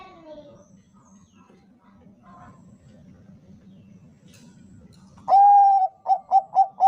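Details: Bangkok-type zebra dove, used as a lure for other doves: five seconds of quiet low rumble, then a loud long coo starts the song, followed by four quick, short, hollow coos.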